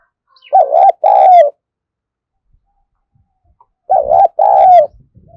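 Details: Spotted dove giving loud, energetic coos to get young birds cooing quickly. A resonant two-part coo, a wavering note then a longer steady one, is repeated twice about three seconds apart, with faint tapping after.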